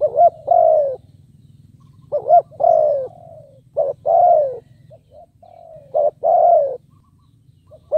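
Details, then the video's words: Captive spotted dove used as a lure for wild birds, cooing steadily: repeated phrases of a short hoot and a longer, falling, mellow coo, about one phrase every two seconds, over a steady low electrical-like hum. "Cu Gáy Mồi Cây 5tr THÚC GÙ KÈM BỔI | Cu Gáy Kích Bổi Nhanh Nổi"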